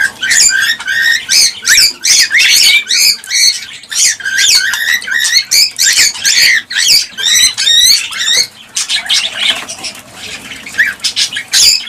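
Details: Quick repeated chirps and rising whistled notes from cockatiels, played to encourage breeding, pour out densely for about eight seconds, then give way to a softer, hissy, rustling chatter.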